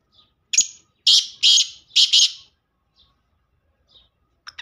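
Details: Kala teetar, the black francolin, gives one clipped rasping note followed by four loud harsh buzzy syllables, the last two run together, then near silence with faint ticks.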